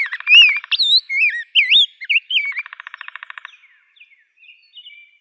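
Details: Bright looping whistles of a rose-breasted grosbeak run over a steady pulsed rattle, then fade into scattered soft high notes.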